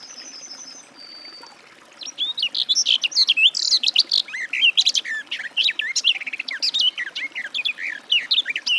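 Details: Garden warbler warbling: after a brief thin whistled note from another bird, a long, fast, rich babbling phrase of varied liquid notes runs steadily for about seven seconds.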